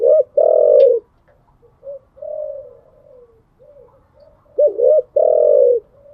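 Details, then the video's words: Caged spotted dove in the morning: loud, low coos open and close the phrase, a sharp double hoot then a long sustained note, with softer murmured coos in between. "Tiếng chim gáy buổi sáng, mở lên vừa nghe thư giản vừa luyện bổi gáy theo. ÂM GÁY CHUẨN ÂM"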